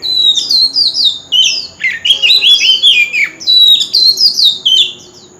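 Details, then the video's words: Contest lure song of an Oriental magpie-robin in wild forest style: a rapid, continuous stream of rich, sweet whistles, some notes dropping sharply and others warbling, with barely any gaps throughout. "Chòe than hót giọng rừng l Tiếng chim chòe than mồi l Chòe than hót đấu"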